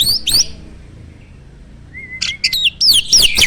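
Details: Caged starling singing in full voice, packed with varied fill-in phrases: sharp high chirps, a pause, then a long level whistle followed by rapid swooping notes.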